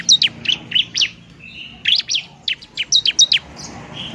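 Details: Bar-winged prinia singing aggressively, used as bait to make lazy birds sing: clipped, high chirps in short rapid groups, with faint thin whistles between them.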